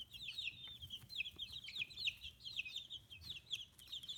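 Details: Group of fifteen-day-old chicks with new feathers on a free-range farm in Kitahiroshima, Japan; steady overlapping high cheeps and short downslurred whistles fill the whole stretch, a soft low hum beneath.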